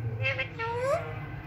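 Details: An Indian Alexandrine parakeet talks, giving a brief reedy phrase that ends in a rising slurred tone, with a low background hum.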